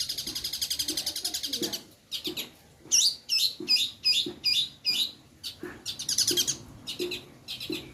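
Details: Long-tailed shrike recorded as a singing lure, opening with a fast rattling trill, then scratchy, grating notes in rapid series and another chattering burst, over low thuds.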